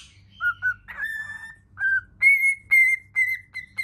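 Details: Cockatiel singing happily in front of a mirror: short clear whistled notes, some wavering, then a run of brighter, sharper whistles repeated about twice a second, over a faint steady low hum.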